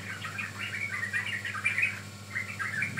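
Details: Sooty-headed bulbul lure song, a brief lively stream of gurgling chirps, with notes tumbling together before a short pause and a final few squeaky phrases; low hum underneath.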